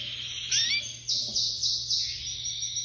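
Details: Spanish canary (espanholinha breed), ringed bird number 55, singing short phrases: rising whistled sweeps followed by three bright repeated chirped bursts about every third of a second, then a held high note, with a low background hum.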